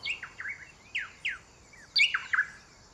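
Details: A pair of Rosy Thrush-Tanagers, a bright red male and an orange female, duet in Metropolitan Park, Panama, trading rich, slurred whistled phrases in a rollicking song. When one stops a phrase, the other continues.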